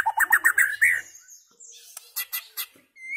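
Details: White-rumped shama chirping and singing: a fast series of bubbling whistled notes, a thin high drawn-out whistle, then spaced high chips and a final rising whistle.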